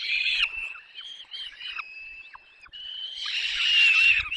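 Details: Nest of peregrine falcons in the Barycz Valley, Poland, 6 May 2021, chicks fed until all are full: thin, drawn-out whining begging notes, softer mid-clip, then building to a loud, shrill outburst.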